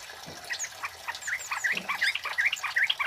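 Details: Male kemade flowerpecker singing, used as a lure and tutor recording: scattered high chirps building into a steady run of sharp, bending chirps, with faint background rustle and other thin high notes.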